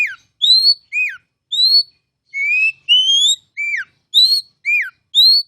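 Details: Oriental magpie-robin, locally kacer, in full song: clear rising whistles and bent downward notes in quick separate phrases, loud against a silent background.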